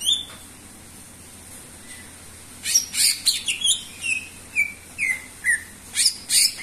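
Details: Persistent song of a greater green leafbird, presented as a lure for other birds. After a near-silent opening, chattering notes give way to a run of clear, downslurred whistles spaced under a second apart.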